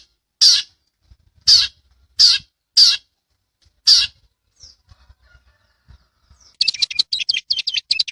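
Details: Long-tailed shrike, used to train caged birds, delivers five loud, rasping, high notes about a second apart, a pause with faint ticks, then a rapid, squeaky chattering burst at the end.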